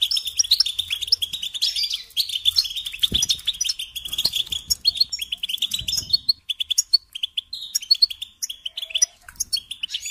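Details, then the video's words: European goldfinch motifs for tutoring songbirds: a long, unbroken stream of bright, scratchy twittering and quick trills, with occasional soft knocks in the background. "Teaching Singing Lessons Through Goldfinch Motives"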